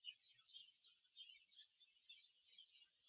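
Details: Spanish sparrows (Passer hispaniolensis) in Palencia, Spain, late June 2024, keep up a faint, busy chatter of high, overlapping chirps without a break, with no other sounds standing out.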